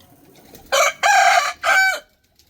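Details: A rooster gives a full crow in three strong, raspy bursts, the middle one longest, after a low background hum; the call ends abruptly and quiet follows.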